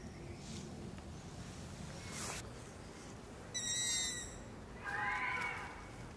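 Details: Young long-eared owls (Asio otus) at night give two drawn-out, squeaky begging calls, one high and thin, the next lower and wavering, with a brief rustle and faint background hiss.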